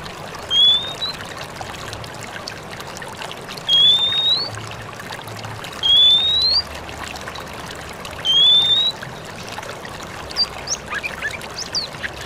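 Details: Oriental magpie-robin ngalas song to lure answers from other magpie-robins: a single rising whistle repeated roughly every two to three seconds, four times, then a few faint short notes, over a steady trickling background.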